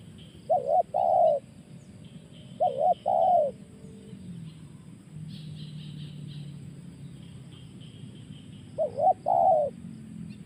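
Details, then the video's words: Spotted dove calling in 'tekan' style: three phrases of a wobbling short coo plus a longer descending coo, with a long gap before the last, while faint higher chirps and a low hum sound in the background. "Suara tekan burung tekukur"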